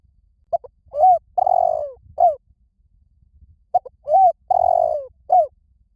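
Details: A spotted dove calls wild doves to come quickly with repeated coo phrases, two in a row with a brief gap. Each has short introductory notes, a curved hoot, a prolonged rolling coo that drops in pitch, and a short last note.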